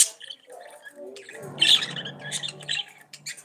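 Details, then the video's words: Chattering budgerigars with squeaky, scratchy high notes and brief harsh squawks over a steady low hum. "CANTO DE PERIQUITOS-AUSTRALIANOS"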